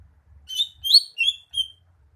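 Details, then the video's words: Four clear, high slurred whistles and chirps from a greater green leafbird, each a warbled phrase about a quarter-second long, with soft low knocking underneath. "Kicauan burung cucak hijau"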